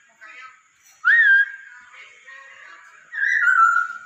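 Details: Song of the masked laughingthrush, kept as a pet bird, meant to encourage singing: soft chatter, then a sharp upslurred whistle, a quiet murmuring stretch, and a longer loud descending whistled phrase.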